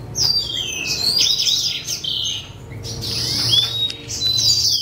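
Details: C. frontalis chick being hand-reared; high, thin chirps and downslurred whistles come in quick overlapping bursts, with a faint low hum underneath.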